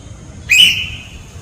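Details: White parrot giving one sharp whistled call: a harsh, noisy onset, then a clear tone holding steady and fading over about half a second, against a quiet background hum.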